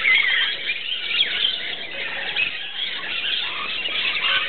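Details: Early-morning bathing flock of rainbow and musk lorikeets; overlapping high, harsh screeches and squawks run unbroken throughout, many birds calling together without pause.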